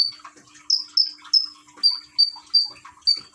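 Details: Common iora in Gresik, East Java, Indonesia, recorded on an Android phone with trickling water played as therapy: clear short whistled notes, each slightly falling, spaced about every 0.4 seconds, over soft water patter and a faint low hum.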